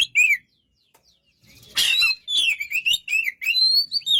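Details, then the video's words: White-rumped shama giving a short whistled note, then a harsh burst followed by a string of rich, wavering whistles. "burung kacer"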